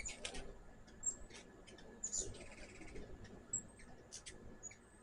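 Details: High-pitched squeaks and thin chips from hummingbirds at a backyard sugar-water feeder, scattered irregularly over a few seconds against a soft low hum.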